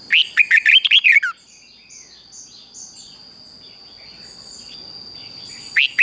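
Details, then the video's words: Morning training song of a red-whiskered bulbul: a rapid string of about eight liquid, warbled whistles ending in a downward slur, then a long quiet spell of faint distant chirps under a constant high tone. "Luyện cho chào mào hót sáng"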